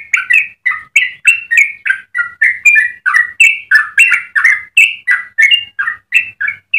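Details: Yellow-vented bulbul singing a long, melodious sequence used as a tutor or lure: rapid continuous bubbly whistles shifting up and down in pitch, nearly three notes a second.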